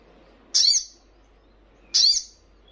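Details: Crimson Sunbird sound played to prompt caged birds to respond: two loud, very high, sharp chip notes with a slight downward slur, about one and a half seconds apart, with nothing else heard.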